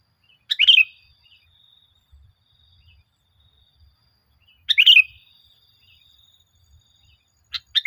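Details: Sooty-headed bulbul song used to lure caged birds into singing: three sparse, brief, bubbly phrases spread across several quiet seconds, each a sharp, liquid flourish with a faint lingering tone between.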